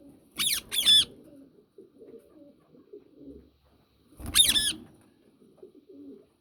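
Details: A yellow Indian ringneck parakeet gives harsh, grating screeches: a quick pair of notes, then another burst about three seconds later, over a soft low murmur.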